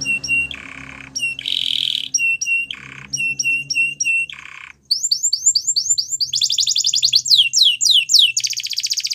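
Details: Singing Belgian canary in training song: clipped two-part chirps alternating with lower buzzy rattles, then rapid swooping whistles, fast rolling trills and a dense final trill, over faint low hum.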